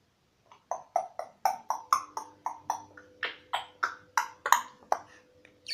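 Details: Twelve-month-old African grey parrot asking for a peanut: a steady run of sharp, clicking, slightly tonal notes, roughly three per second, some brighter and higher, ending on a rising, louder note; indoors, no other voices.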